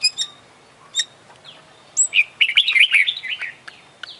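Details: Champion Oriental magpie-robin in full 'isian' song: clipped high notes and a downslurred whistle, then a rich, fast run of twittering, warbled phrases ending with a rising whistle.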